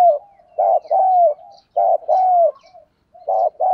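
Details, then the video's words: Spotted dove kept as a decoy, cooing to make wild doves respond quickly, 'thổ' voice style; mellow, hollow coo phrases of a short note followed by a drawn-out slurred note, repeated with brief pauses. "cu gay kich boi nhanh noi hàng ngày mở lên là bổi gáy"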